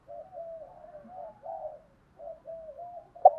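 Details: Spotted dove cooing used to train and stimulate decoy birds, from male and female doves. Soft, low, continuous rolling coos run in two phrases separated by a short pause, ending with a brief sharp knock.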